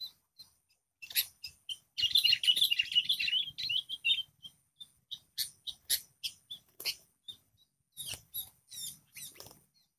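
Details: Wild sooty-headed bulbul challenging a lure bird, which cries out and struggles to keep up: scattered sharp chips, then a dense, loud, warbling chatter lasting about two seconds, followed by evenly spaced sharp clipped notes.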